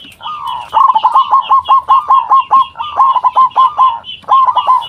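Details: Zebra dove, a local perkutut, recorded as a lure to draw replies from other doves: long runs of quick, evenly spaced soft coos, over a dozen notes in steady rhythm, briefly broken, then resumed.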